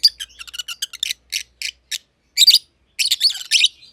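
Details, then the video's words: A pair of masked lovebirds, a green personata and a green pied personata, close friends in an aviary, the green one under a year old, chirp in quick, high, scratchy bursts and harsh squeaky phrases. "Lovebird Chirping Sounds - Green Personata & Green Pied Personata"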